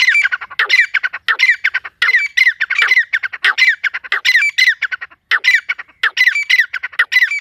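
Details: Partridge heard in a forest: a dense, continuous run of harsh, chattering, ringing phrases, repeated rapidly and somewhat irregularly, loud and close throughout.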